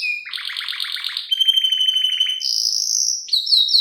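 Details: Female canary luring a male: bright, high song switching between buzzy rapid trills, a fast even rattle of notes, a sustained whistled tone and quick sweeping notes at the end; clean, no background sounds.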